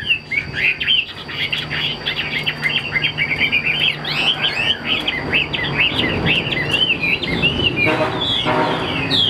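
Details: Caged hwamei, a bird sold as 80% tame that plays its wings on a high perch, pours out a continuous jumble of bright whistled notes and chattery slurs over a faint background rumble.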